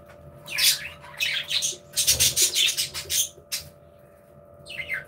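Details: Budgerigars in an aviary produce dense buzzy, scratchy chatter in rapid pulses, then a pause and a final short rising chirp, with a faint background hum.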